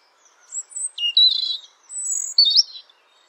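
A European robin sings high, thin, liquid phrases, wavering and jumping in pitch. Short silvery trills give way to sweet warbled notes over a quiet background.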